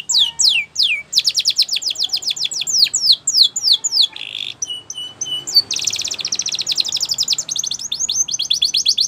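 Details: Canary singing in Spanish Timbrado style for training: quick descending sweeps, a burst of rapid chips, a brief buzz, then a long metallic trill.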